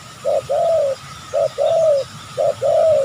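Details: Spotted dove from a wild population in an oil palm plantation, reacting to a trapper's lure, gives three regular phrases. Each has a brief, soft coo followed by a stretched, slightly descending hoot, closely spaced.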